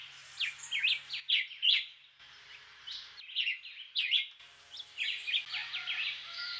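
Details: A Black-whiskered Vireo, a migrant that returns to Puerto Rico each February to breed, sings short, clipped whistled phrases of two to four notes, spaced about a second apart, over a faint steady background hum.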